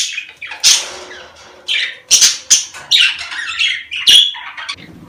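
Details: Pet budgerigars, mating stimulation sound; harsh scratchy squawks and sharp chirps mixed with rolling warbles, loud close bursts with brief quiet gaps between phrases.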